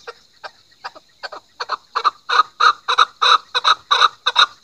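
A chukar gives a run of harsh, clucking chuk notes, about three a second, that start soft and grow steadily louder and fuller.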